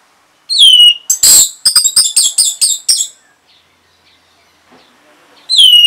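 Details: Orange-headed thrush answering a lure sound with one sliding whistle, a rapid run of sharp chirping notes lasting about two seconds, silence, and another bright downslurred whistle at the end.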